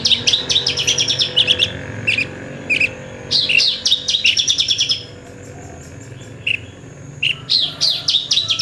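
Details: Horsfield's bush lark, a lark said to be rare and skilled at mimicking other birds, singing: quick bursts of high chirps, a few sharp separate notes, then a dense chattering phrase, a brief pause, and more chirps.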